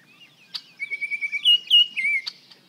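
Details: Baltimore Oriole at 55 feet, recorded to compare shotgun and parabolic microphones; a run of quick whistled notes flowing into a sustained clear whistle that lifts, then drops in slurred ends, framed by two sharp clicks.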